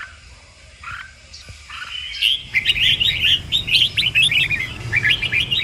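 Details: Red-whiskered bulbul song for training birds to sing, in the "kích bổi" style: a few soft, distant notes, then a sustained run of rapid, bright chirping phrases in the second half, with low rumbling background noise.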